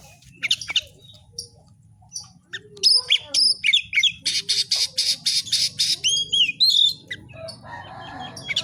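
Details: White-rumped shama in fighter-style song: loud varied phrases of rising whistles, rapid buzzy repeated notes around the middle, sharp chips and short squawks, with low background hum.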